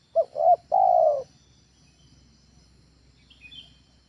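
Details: Spotted dove used as a home lure bird giving one phrase: two quick hooting notes and a long steady coo, then quiet with a faint distant chirp.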